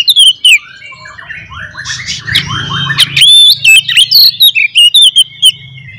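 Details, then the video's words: Oriental magpie-robin (kacer) in fighting song used to provoke rival magpie-robins: loud, varied whistles, rising and falling slurs and harsh chattering bursts, with a clipped, repeated rhythmic sequence of loud notes and a low hum beneath. "SUARA BURUNG kacer gacor NGEPLONG TARUNG ini paling AMPUH buat PANCINGAN KACER agar Full EMOSI"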